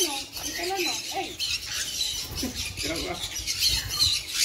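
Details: Steady harsh squawking by a sun conure, grating and high, with short wavering tonal notes scattered through and no clear pauses.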